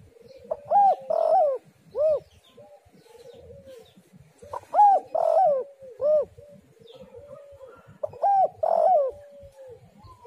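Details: Spotted dove (tekukur) calling to lure other doves: the same phrase of two short arched coos, a longer wavering coo and a final rounded coo repeated three times, roughly every four seconds, over soft bird chatter.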